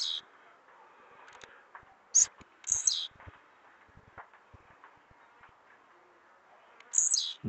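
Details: Blue-black grassquit in full song, trincado style. Sharp high buzzy notes, some falling steeply in pitch, arrive in a pair near the start and again at the end, with quiet clicks and soft background noise between.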